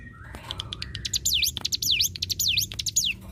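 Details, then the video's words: Hill Prinia, locally called ciblek gunung, singing energetically; kept as tutor song for magpie-robins, leafbirds and white-rumped shamas. High, sweeping V-shaped whistles, each dropping then rising, repeated quickly after a few scratchy chips. "cigun ngbreeenn‼️masteran yang dicari para kicau‼️"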